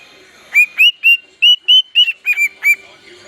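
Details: A male pet bird gives eight or nine short, bright whistled notes, each slightly rising then levelling, spaced about a quarter second apart in an even phrase over a faint steady hum.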